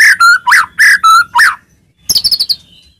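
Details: Loud white-rumped shama phrases for provoking rival birds into song: six clear whistles alternating level and arching notes, a short silence, then a quick high twittering run fading out.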